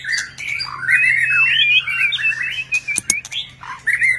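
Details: White-rumped shama performing a display song of many varied notes: a long flowing run of warbled, rising and falling whistles, broken by sharp clicks near the end, over a low mechanical hum.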